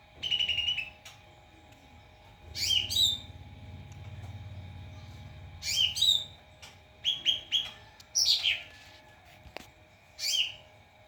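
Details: Training song of a white-rumped shama used to teach other birds, made of short bright whistles and sharp rising notes spaced irregularly, some repeated in quick pairs and triplets, over a faint mechanical hum.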